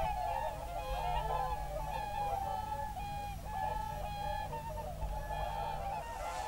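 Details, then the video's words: Evening concert of whooper swans and geese at a national park, late afternoon into dusk on 7 February 2023; many trumpeting, honking calls overlap in a dense, steady chorus with a low background rumble. "Am Abend bei den Singschwänen"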